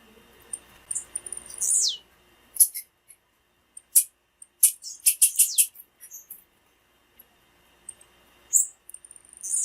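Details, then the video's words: Female blue-black grassquit (tiziu) call used to excite and stimulate males: thin, very high chips and a sharp whistle sliding steeply downward, followed by scattered bursts of quick high ticks with short silent gaps. "PIADO DE FÊMEA DE TIZIU FIT PARA ESQENTAR TIZIU NA HORA COM PIADO DE FÊMEA DE TIZIU"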